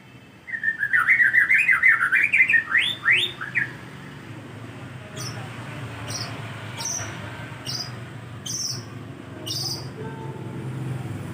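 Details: White-rumped shama song played as a lure to draw replies from other shamas: a rapid warbling, jumbled phrase of up-and-down notes for three seconds, then six sharp high chips repeated roughly every second.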